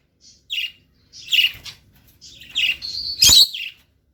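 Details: Lutino lovebirds give sharp, high chirps and squeaky chatter in short bursts, ending in a louder shrill screech.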